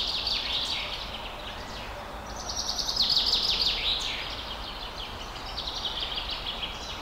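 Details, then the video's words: Forest birds singing: high chirps and quick downward-sweeping trills come in bursts, loudest around the middle, over a steady hiss of background noise. "Birds In Forest Loop Sound Effect"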